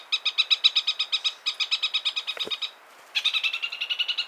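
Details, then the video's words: A Chatham parakeet gives rapid, harsh chattering notes, about four a second, in two bursts split by a short pause and a brief low swoop. "Chatham Islands Parakeet Bird Sounds"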